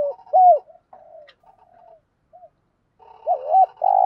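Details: Spotted dove, thúc gù style for luring wild doves: a curved coo followed by soft murmured notes, a silence, then a wavering double coo and a loud steady note.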